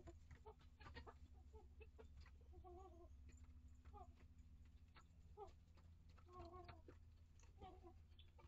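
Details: Flock of backyard hens and young chicks in a coop, mixed breeds: sporadic short harmonic clucks and brief murmured calls spread through the recording, with clicks and a steady low hum beneath.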